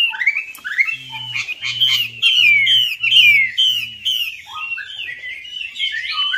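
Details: Song of the Chinese hwamei used as a lure: bright upslurred whistles followed by emphatic repeated downswept notes, the phrase ending in lower warbled slurs, with a low mechanical hum pulsing in the background.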